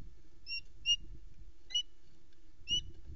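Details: Hungry female osprey at a nest on Loch Arkaig in an ancient Caledonian pine forest, calling as her mate brings in a flatfish; four thin, high, short chirped notes spaced irregularly over a low rustling background.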